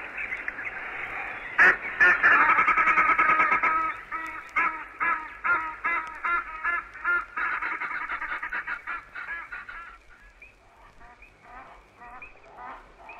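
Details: Egyptian geese in East Africa giving their noisy alarm: loud, harsh honking and hoarse quacks in a rapid string, over two per second, fading after ten seconds into softer, scattered calls.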